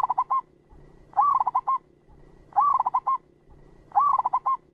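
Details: Clear lure call of a local zebra dove, meant for trapping and training decoy birds: rolling coo phrases repeated about every 1.4 seconds, each opening with a rising note then a quick stutter of four or five coos.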